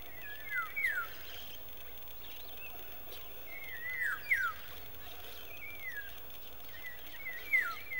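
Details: African golden oriole (Oriolus auratus) in Nalerigu, Northern Region, Ghana, on 16 May 2018, gives brief, liquid, fluty whistled phrases that swoop up and down, three bursts a few seconds apart over quiet background hiss.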